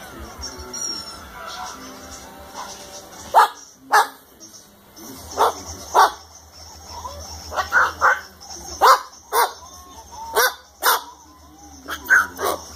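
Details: Umbrella cockatoo copies a dog with about a dozen short harsh barks at uneven intervals; soft music plays at the start.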